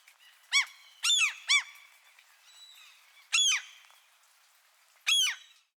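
Gulls give five harsh, arched squawks, two or three close together and then single ones spaced over a couple of seconds, over a soft hiss of light rain.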